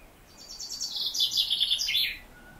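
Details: Male common chaffinch in summer in the Maungakotukutuku Valley, New Zealand, strident. A bright, rapid run of high notes that speeds up and descends, ending in a short flourish, lasting under two seconds.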